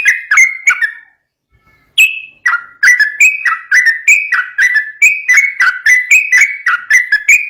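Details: Sooty-headed bulbul ropel song meant to lure untrained bulbuls: a few whistled notes, a second-long gap, then a steady, rapid series of clear two-toned whistles.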